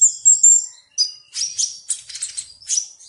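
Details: A sunbird gives a short burst of very high whistled notes followed by a fast series of sharp, scratchy chips and twitters, delivered in quick clusters.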